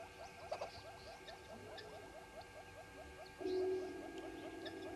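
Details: Red-billed hornbills at Djuma on 10/02/19 at 05:34, a quick rhythmic run of clucks followed by a louder, lower, buzzy rattling note that swells and continues to the end.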